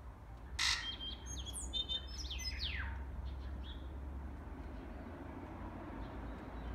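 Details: Tui singing: a sharp click followed by a run of clear whistled notes and steep downward-sliding slurs over about two seconds, then quiet with steady low background rumble.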